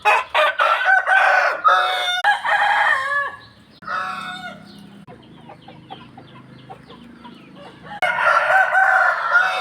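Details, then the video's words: Several roosters crowing in the morning, overlapping loud harsh crows in succession, a quieter stretch with low murmuring clucks, then another full crow. "roosters crowing in the dawn, manok galing tumitilaok"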